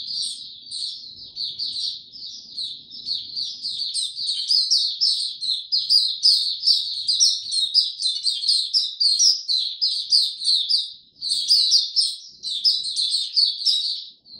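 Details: Extended white-eye song on 26 March 2022 in warm, very humid weather: continuous high-pitched chattering and twittering, becoming louder and more rapid after the first few seconds, with faint low noise early on.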